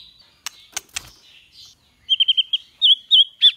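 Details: White-rumped shama in the 'kéo thuốc lào' and 'giọng dây' singing styles, for training birds to sing well: a few sharp clicks, a pause, then a fast run of short, even, repeated whistled notes.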